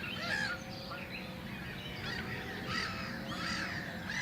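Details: Black-headed gull breeding colony with young downy chicks on Rotary Island, Summer Leys LNR, 3 June 2018, a hot, humid, sultry day: many harsh, nasal calls overlapping in a constant raucous clamour, with steady low wind or background rumble.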